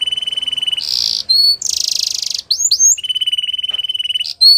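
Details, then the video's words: Belgian canary singing for canary training, alternating long steady high buzzy trills with brief harsh bursts and sharp rising whistles. "Belgian Canary Song That Fascinates Everyone !! Canary Training"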